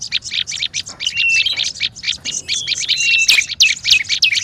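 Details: Olive-backed tailorbird noisy lure chatter: rapid, sharp high chirps and short level whistles crowding together, with a louder upswept note after three seconds.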